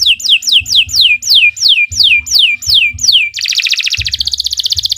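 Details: Canary song for training young birds: a steady series of loud swooping downslurred whistles about two per second, switching to a dense fast buzzy trill, with intermittent low thumping.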